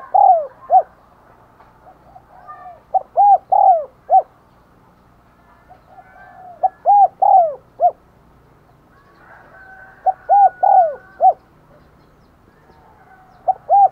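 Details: Decoy spotted dove calling wild doves: repeated cooing phrases of short and long mellow notes, about five phrases spread over fourteen seconds with quiet gaps between, faint other birds in the background.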